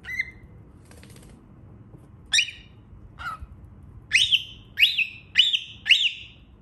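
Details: Young cockatiel calling with sharp rising-then-falling whistled chirps. Early notes are scattered, then four similar calls repeat roughly every half second in a quiet room.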